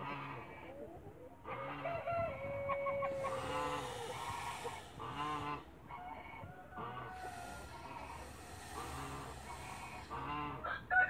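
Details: Mother Toulouse goose guarding her eggs in a backyard, with repeated blaring honks in irregular bursts, some drawn-out harsh notes, and faint background farmyard noise throughout.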